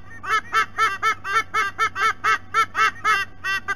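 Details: Adult white-bellied sea eagles at the nest, Sydney Olympic Park, Australia, recorded by nest cam: a fast, even series of about fourteen honking, quacking notes at roughly four per second, over a low hum.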